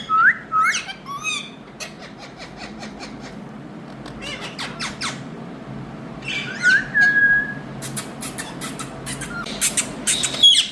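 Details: Green pet Indian ringneck parakeet vocalizing: bright rising whistled notes near the start and again midway, broken by quick harsh squawky bursts and clicky strokes, over a faint steady room hum.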